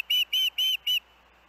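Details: Osprey at the Hellgate nest alongside its young siblings, August 23, 2024: four drawn-out, piercing whistled notes evenly spaced, then near silence.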